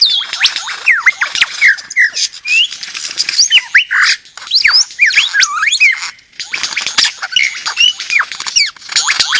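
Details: Australian forest lyrebird giving a long, unbroken stream of fast whistled slurs, loops and sharp ticking notes, layered thickly with little pause and with one brief dip partway through.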